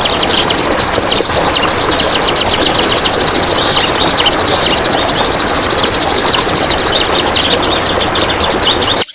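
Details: Kapas tembak, or Cream-vented Bulbul, in dense besetan rapat song for a masteran training recording: fast strings of high, buzzy chirps repeat continuously for about nine seconds, half buried in a constant broadband hiss that ends abruptly.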